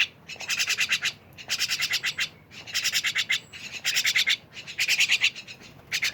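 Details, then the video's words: Myna producing coarse, scratchy bursts of quick repeated notes, each run lasting under a second and separated by short silences. "rame bersama burung jalak"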